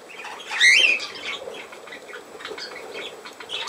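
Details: A single budgerigar gives a loud, quick wavering whistle-like chirp, followed by softer scratchy chatter from the birds around it.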